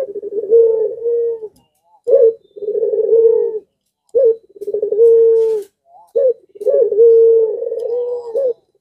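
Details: Breeding-condition puter pelung dove calling so others around join in: a steady series of low coos, each a sharp rising hiccup followed by a rolling, sustained note, repeated roughly every two seconds.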